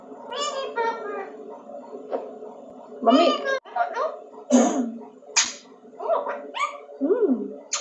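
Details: A rescued Alexandrine (ringneck) parakeet mimics human speech, saying "mere paa" (my papa) in short, raspy, voice-like phrases repeated several times, with small squawky breaks between them.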